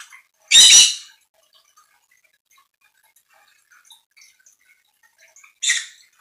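A Red-rumped parrot gives two harsh, high, broadband squawks, one loud and about half a second long, then a shorter one five seconds later, with near silence between.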